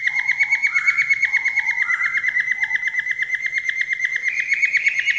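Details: Falk bird song as a daily training recording: a fast, even, buzzy trill held on one pitch, rising slightly near the end, with soft lower whistled phrases underneath.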